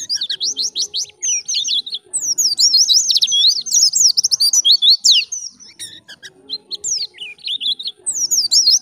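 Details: Ngalas-style song of an actively singing white-eye, meant to train other birds: almost nine seconds of rapid, high, varied twittering phrases with sharp chirps and slurred notes, separated by short pauses.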